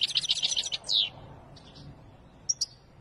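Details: European goldfinch, Wedani song: an opening second of quick high twittering with a falling slurred note, then near quiet with a couple of faint high chips.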